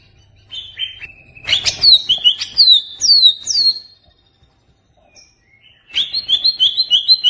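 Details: Greater green leafbird, kept as a pet songbird, singing a lure song meant to provoke another bird: stepped whistles, then loud rapid downslurred whistled phrases, a pause, and a fast repeated warbling trill.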